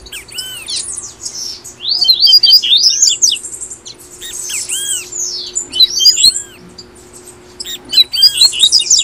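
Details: Brazilian double-collared seedeater in tui tui song style, meant to prompt caged birds to sing: sweet looping whistles and fast sparkling trills in repeated bursts with short gaps, faint steady hum underneath.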